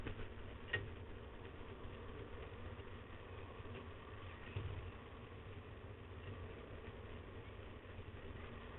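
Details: Low idling engine rumble fills the recording, with a couple of faint knocks and no animal calls.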